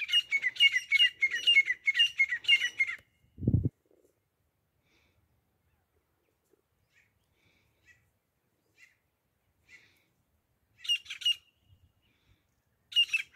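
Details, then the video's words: Grey francolin (grey partridge) used for hunting: a rapid series of harsh chattering notes, a sharp thump, a long near-silent gap with tiny clicks, then two more short bursts of squawks. "desi teeter grey partridge grayfrancolin hunting sounds"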